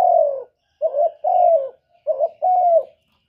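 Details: A master spotted dove singing the kuk 1 style as a lure for other doves: the clip opens on the tail of a long coo, then comes two phrases, each a clipped note and a sustained mellow coo that dips at the end.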